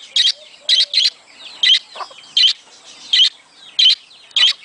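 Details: Budgies, a breeding-stimulation sound: strong, piercing short chirps, some paired, recur every half second or so, with quiet twittering and whistled slides between them.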